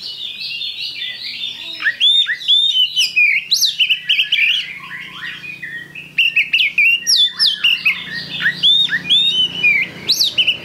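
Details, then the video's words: Oriental magpie-robin (kacer) singing vigorously (gacor), used as a lure recording (pancingan) to trigger song: a dense, varied stream of clear whistled notes, upslurs and rapid chattering phrases with short pauses, against a faint low hum. "Pancingan Kacer Gacor"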